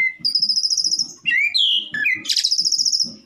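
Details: Rival-provoking song of a black-collared starling: a long high buzzy trill, then twisting whistled slurs, a harsh dense rattle and a last upward whistle, with faint low knocks in the background.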